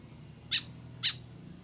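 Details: Solitary tame white-breasted woodswallow without a companion giving two quick rasping notes half a second apart over a low droning hum.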